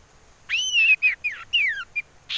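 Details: A female common iora's whistled song, played as a lure to draw birds: a long arched whistle, then shorter slurred downward notes and a final brief chip, ending with a burst of noise.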